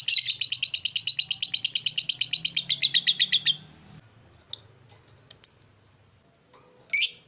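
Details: Lovebird ngekek, a style played to provoke other lovebirds: about three seconds of fast, high, rattling chatter, then quiet with a few sharp single chirps.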